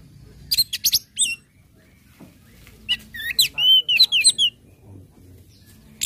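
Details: Orange-headed thrush song in the style called ngecip, ngecit and ngeplong, used to stir other birds into singing: short high chirps in quick bursts, then a run of clear looping whistles and sharp upslurred notes.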